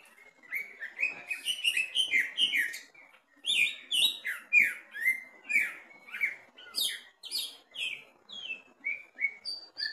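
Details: Caged greater green leafbird singing loudly while tested at the bottom of the cage: rapid series of clear whistled and chirpy notes, many slurred downward, delivered in quick varied phrases with a brief pause near three seconds.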